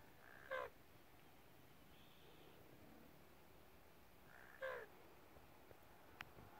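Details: Common raven giving a clucking sound: two short, faint, hoarse harmonic notes about four seconds apart, with a soft tone and a brief click between them over steady background hiss.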